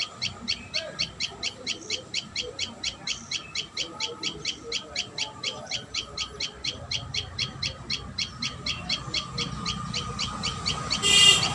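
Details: At its nest, a common tailorbird gives a long, even series of high, clipped chip notes, about four a second, ending in a brief burst of hiss.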